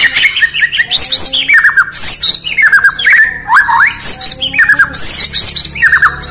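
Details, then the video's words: Morning song of a White-rumped shama, called Murai Batu, from Indonesia: rapid bursts of bright chirps and downward-sliding whistles, with harsh squawky notes and crisp clicks, phrases tumbling one after another with a faint low hum beneath. "Bird Chirping In The Morning || Beautiful Murai Batu Chirping"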